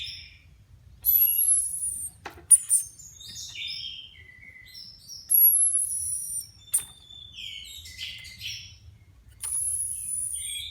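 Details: Caged Orange-headed Thrushes, four freshly moulted birds placed side by side to check readiness for contest training; repeated bursts of varied whistles, each opening with a thin very high slurred note, separated by short pauses.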